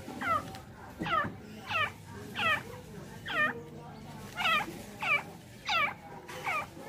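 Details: Female francolin, reportedly tamed, repeating curled harmonic notes steadily, about nine in seven seconds, over faint background hum.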